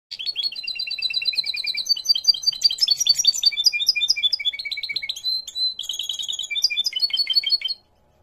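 A goldfinch hybrid sings a fast, bright stream of twittering, tinkling notes and trills.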